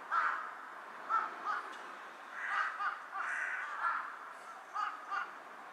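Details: A carrion crow sitting on a power line bows as it calls, giving a string of harsh, hoarse caws, some single and some in close pairs or drawn out, over steady background noise.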